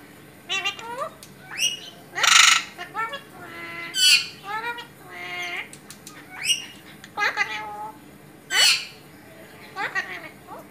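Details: Alexandrine parakeet, a pet talking bird, mixes mimicked speech-like words with loud, harsh squawks, and phrases come every second or so over about ten seconds, with no other notable sounds.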